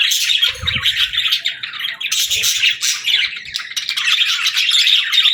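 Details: Group of pet budgerigars trading quick chirps and raspy squawks in uneven bursts with short dips, plus a low thump near the start.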